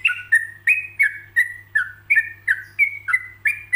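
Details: Yellow-vented bulbul singing a paused song meant as a model for other bulbuls to copy: lively, unbroken phrases of short whistled notes that slur and drop, about three per second, with a constant low hum behind.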